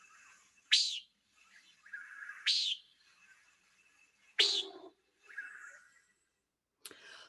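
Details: A Common Nighthawk gives four harsh, nasal, buzzy peent notes, almost duck-like quacks, spaced about two seconds apart over a faint background hiss; heard at the end of the day.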